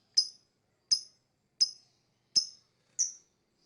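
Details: Lovebird chirping for whistle training: five clean, sharp high chirps spaced about three quarters of a second apart in an otherwise quiet background.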